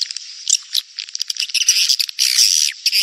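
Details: Swiftlets in a lure recording of rainy-season mating calls: dense, buzzy twittering chirps, high-pitched and overlapping, in irregular bursts with a louder sustained chatter near the end.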